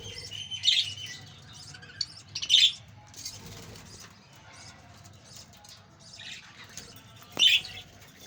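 Budgerigars give bright, high chirps and warbles in short bursts over a soft, busy chatter.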